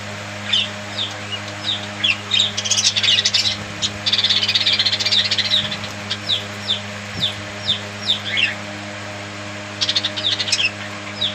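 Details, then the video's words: Budgerigars give rapid repeated short chirps, roughly two or three a second, broken by a burst of dense scratchy chatter in the middle; steady low hum behind. "Bird Chirping Sound Parakeet friend's budgies parrot"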